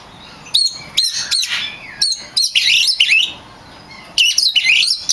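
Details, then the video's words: Oriental magpie-robin (kacer) singing in champion form for songbird training: sharp clipped notes followed by a rich run of warbled, twisting whistles, a pause, then another fluid phrase. "Suara burung kacer gacor juara untuk melatih mental kacer Anda"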